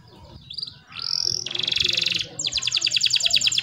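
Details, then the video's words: Lively canary song for tutoring young canaries and prompting lazy singers: soft chirps, a rising whistle, a dense buzzy trill, then a series of rapid pulsed notes, over low background rumble. "KENARI GACOR ‼️ COCOK UNTUK MASTERAN KENARI PAUD DAN PANCINGAN KENARI MALAS BUNYI"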